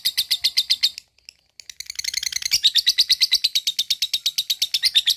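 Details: A lovebird's ngekek song for exciting other lovebirds: a second of rapid chirps, a short pause with faint notes, then a long, fast, rattling chain of bright chirps that strengthens toward the end.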